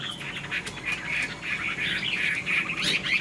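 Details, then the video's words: Caged Chinese hwamei with a spread tail, flicking its wings while singing, its song ending in laughingthrush-like phrases. It gives a dense, blurred run of high warbled notes, rapid and continuous over a steady background hiss. "Họa mi đuôi xòe chơi cánh, bóng bộ cực đẹp, hót vẩy đuôi khướu"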